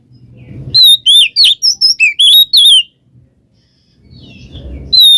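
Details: Oriental magpie-robin song of the 'ngeplong ngekek' type, a lure to rouse a quiet bird. Low rumble, then a two-second run of rapid, piercing slurred whistles, a quiet gap with more rumbling, and a final whistle.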